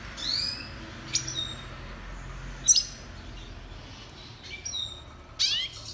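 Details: Red siskin (Spinus cucullatus) singing for song training: short high chips and quick upslurred whistled notes, scattered every second or so, separated by quiet gaps over a faint background hum.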